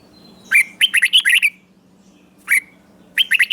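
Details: Red-whiskered bulbul from Thailand in southern master-style song, used to excite caged bulbuls and teach young birds. A single upslurred note, then a quick run of five bright warbled notes, a pause, and further short liquid phrases.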